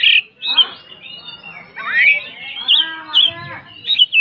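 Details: White-rumped shama, a contest songbird, delivering a run of sliding whistles and rasping, buzzy notes that flow together with few gaps.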